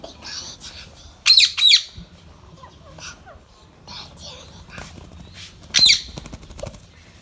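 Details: Baby ringneck, a rose-ringed parakeet kept as a pet, lets out sharp, grating screeches in a quick pair, with another single screech a few seconds later, amid soft indoor speech and small clicks.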